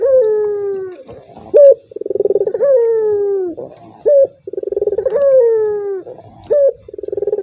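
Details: Regular, repeated turtle dove cooing for provoking a silent rival: pulsed rolling burrs flow into drawn-out descending tones, separated by clipped high notes, about three phrases in seven seconds.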